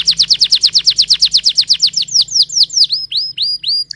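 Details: Canary singing a fast, even roll of descending whistled notes, about five per second, slowing into longer rising slurred whistles, with a faint low hum underneath.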